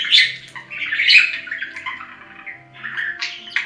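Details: Budgerigar chatter from caged pet birds: a continuous run of scratchy, warbling notes with brief whistled tones, rising and falling without a set rhythm, faint low hum in the room.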